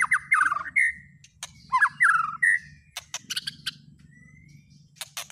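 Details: White-rumped shama lure song for stirring a shama to sing: rich warbled whistles in the first half, then quieter sharp clicks, one thin rising whistle and scattered high ticks, with a low steady hum.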